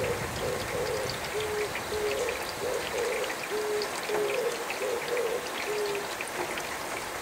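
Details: An Oriental turtle dove, soaked by rain, calls early in the morning with its low, hollow cooing phrase, a rhythmic run of soft wavering and flat hoots, against a steady hiss of rain.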